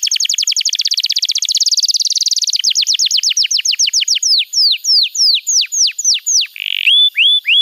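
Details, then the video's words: Canary master song for training young birds: a rapid high trill slowing into separate downward-sweeping whistled notes, then a short burst and clear descending whistles. "Masteran Kenari PAUD & Pancingan Kenari MACET BUNYI‼️"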